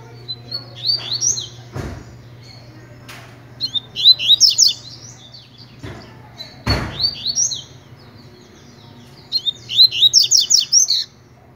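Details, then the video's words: Tutor Double-collared seedeater in tui-tui song style: three bursts of high, rapid, buzzy slurred notes, each phrase a quick run of repeated chips, separated by pauses, with occasional thumps and a low constant hum. "COLEIRO TUI TUI PROFESSOR TREINANDO"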